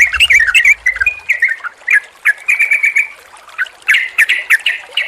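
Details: Sooty-headed bulbul calls combined as therapy for a bird that stopped singing: short bubbly phrases, a few slurred whistles, then a brief pause and a burst of sharp chirps; low rumble only at the start.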